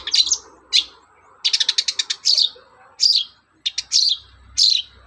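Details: Morning song of a long-tailed shrike used as a lure for other shrikes: separate rasping high chirps, one quick stuttering series of seven clipped notes, then more harsh, slurred notes spaced about half a second apart, with faint low rumble.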